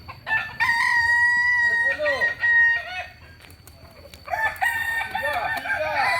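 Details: Crowing Kokok Balenggek rooster from Solok, West Sumatra: a long, steady held note, then short bent syllables, a brief pause, and a second crow of rapid arched notes.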